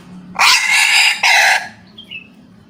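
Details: Java red junglefowl delivering a short, clipped crow: one loud, harsh, drawn-out note followed at once by a shorter, abrupt second burst, then quiet with a few thin, high bird chirps.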